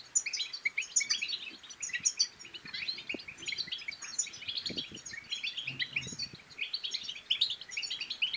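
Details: European goldfinch song, used to stimulate silent goldfinches to sing and mate: a dense, continuous stream of high twittering, tinkling and buzzy notes with brief sharper peaks, plus a few faint low clicks.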